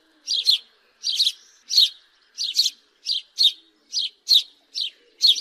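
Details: House sparrow calling with a steady series of short, harsh chirps, single and doubled, repeated roughly once a second; no other sounds intrude.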